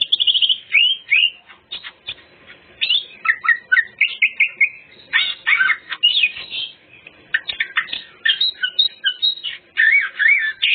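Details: Greater green leafbird, lure song with full repertoire: long varied stream of whistles, chattering notes and mimic-like phrases, closing with looping, wavering whistles.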